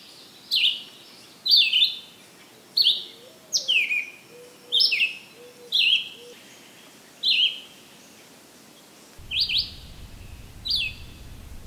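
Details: Red-eyed Vireo sings short, varied, slurred high phrases, about one per second, over a soft background hum; recorded in summer on July 13, 2023, in Maynard, Massachusetts, alongside frogs and insects.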